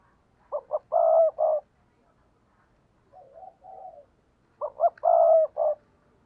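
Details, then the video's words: Spotted dove calling to draw in wild doves. Two loud coo phrases of two short notes and a drawn-out hoot, with a softer, wavering, lower coo between them. "tiếng cu gáy thúc bổi"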